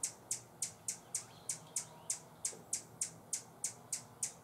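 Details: Warning call of a Buff-bellied hummingbird defending a feeder at San Benito, Texas: evenly spaced, very high, clicking chips repeated about three times a second over a quiet background.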